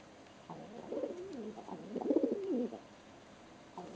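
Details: Indoor pet pigeon, very excited and turning in circles on a hand, utters a single burst of deep warbling coos lasting about two seconds, louder toward the end, then falls quiet.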